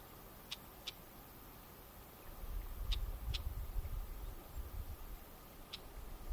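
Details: Red-backed shrike on a Neman River floodplain meadow in Minsk Region, Belarus, angry at intruders in its territory, gives short harsh chack notes, single or in quick pairs, every second or two, flicking its tail, over steady low wind rumble.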